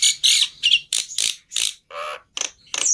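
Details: Black-winged myna lure song: harsh, raspy squawks and hoarse bursts at an irregular pace, ending in a short high whistle.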